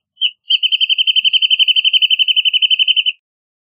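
Wrentit song: one opening note, then a fast, even trill of about thirty bright, high notes over under three seconds, all on one pitch, against a quiet background.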